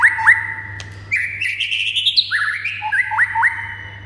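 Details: White-rumped shama song used to make other birds sing: whistled phrases with sharp upswept notes, a rising sequence of short chirps, then more quick upslurs, over a steady low hum.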